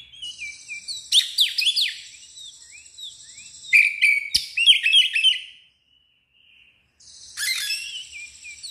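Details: Oriental magpie-robin in agitated ngeplong song, tail spread: loud bursts of rapid, shrill chattering and sweeping whistles, a brief silence, then singing resumes.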